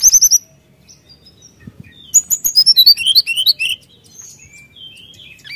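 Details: Vigorous song of a brown-chested jungle flycatcher, delivered to provoke rivals: a few quick high notes, a quiet gap, then a tumbling burst of varied bright twittering whistles fading into thin calls.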